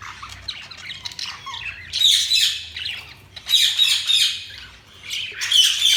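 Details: Budgerigars chirping, with soft twittering notes followed by three loud bursts of harsh, scratchy squawking chatter, each lasting about a second.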